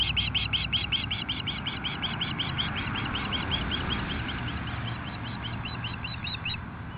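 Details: Ospreys at a nest west of Nelson, British Columbia, calling in alarm at an intruding osprey, 10:00am, 8-7-2015, camera-recorded. Quick repeated high chirps fade gradually over several seconds amid broadband rushing noise and a low rumble.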